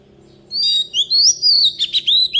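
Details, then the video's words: Forest-style song of an Oriental magpie-robin lure bird for tutoring young birds: after a brief pause, loud clear whistles slide up and down, then break into quick chattering notes and a final rising whistle. "tiếng chòe rừng ép giọng chim non cực hay | Chòe than mồi hót giọng rừng cực hay"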